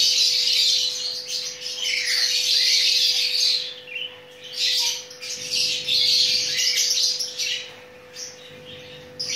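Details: Mating chattering lory (Nuri Ambon/Maluku/Ternate) gives long bursts of high, scratchy chattering and squeaky chirps, broken by two short quiet gaps, over a constant low electrical hum.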